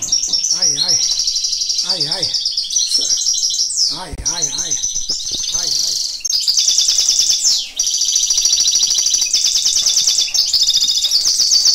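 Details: Live training of a European goldfinch: a man talks over the opening seconds as the bird keeps up a continuous, high, jingling twitter, then sustained buzzy trills and bright chattering phrases fill the rest.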